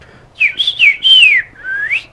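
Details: A Green-winged Saltator (Saltator similis, trinca-ferro) sings a short phrase of rich, clear whistles: several quick downslurred notes, then a final rising whistle, in a quiet background.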